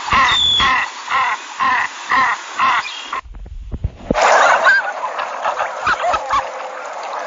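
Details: Male canvasback in display giving short, nasal, harmonic notes about twice a second, then a brief pause and a busier burst of calls with splashing water.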